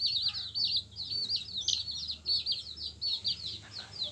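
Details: Several yellow chicks of a domestic hen give rapid, high, downward-flicking peeps in quick, overlapping runs, rising and falling in loudness, with a low steady hum behind.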